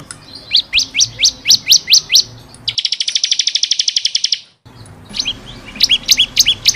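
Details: Vigorous bar-winged prinia song made for training caged birds. A run of sharp, downslurred chip notes comes about three per second, then a fast buzzy trill cut off abruptly, then more chips.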